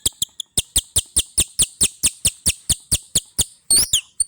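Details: Murai batu, the white-rumped shama, in bius pompa song: a fast, steady run of about fifteen identical sharp chipping notes, closing with a brief high, rising whistled flourish.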